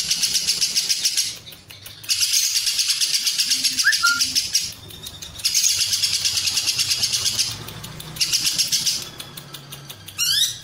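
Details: Lovebird ngekek, a long Cililin run for training and baiting contest birds; four bursts of rapid high-pitched chattering alternate with short pauses, a faint brief whistle near the start and a rising squeak at the end.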